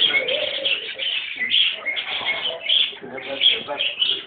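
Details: A white parakeet chatters loudly and continuously, with harsh, raspy warbles and squeaky chirps tumbling together without pause, rising and falling in short bursts.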